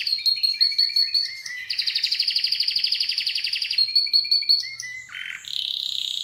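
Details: Canary song mixing clear piping notes with long rapid high rolls. It includes a short dip to a lower warbled phrase before finishing on a smooth sustained trill.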